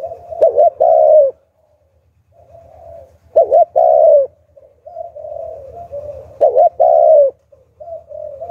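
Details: Spotted dove decoy calling to lure wild doves, giving loud low cooing phrases about three seconds apart, each a short burst then a long rough coo, with softer continuous cooing and a low hum between.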